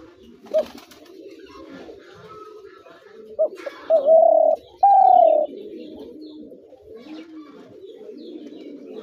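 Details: Spotted dove calling: after soft, low murmuring coos, three loud, even, mellow coos rise and hold steady, the last two drawn out, with a faint chirp early on.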